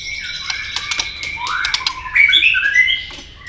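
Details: White-rumped shama giving a fighting song with tail clicks, meant to provoke a rival: sharp clicks, then a rising, warbling run of clear whistled notes that grows louder toward the end.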